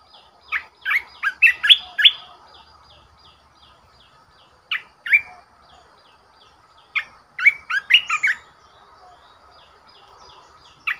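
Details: Red-whiskered bulbul used as a decoy bird, singing three separate bursts of rich, chirpy whistles, each cluster of four to six notes tumbling up and down, with quiet pauses between bursts.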